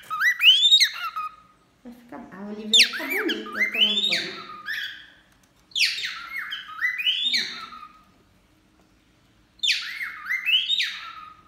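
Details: Cockatiels, male and female, singing as they bathe: four phrases of swooping, warbling whistles, with a human voice talking underneath around the second phrase.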